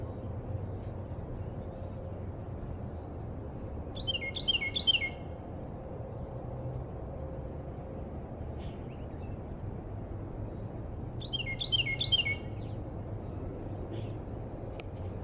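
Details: One of a pair of wrens calling to the other from a maple tree in Americus, Georgia: two loud, rolling bursts of repeated notes about seven seconds apart, over thin high chirps from other birds and a low rumble. Wren.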